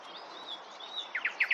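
A common nightingale's song: faint, thin high whistles, then four quick, sharply falling notes in a rapid run.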